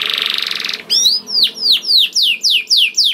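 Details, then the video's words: Canary lure song for prompting other canaries to sing: a short buzzy trill followed by a steady series of loud descending whistled notes, about three each second. "Kenari Gacor Mewah Langsung Nyaut Gacor Dor Di Pancing Kenari Ini Bikin Emosi || Voice of Canary"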